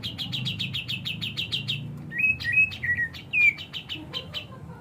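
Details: Grey-cheeked bulbul, locally cucak jenggot, in lively high-and-low song: a fast run of identical high chips, followed by lower, sliding whistled notes and a few scattered sharp chirps.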